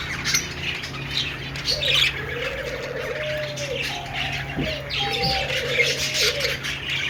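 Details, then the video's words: Budgerigars chirping: dense, high twittering chatter from many birds, with a low, hoarse cooing phrase from another bird repeated in the background. "Budgies sounds /love birds sounds/budgies singing/parakeets chirping sounds"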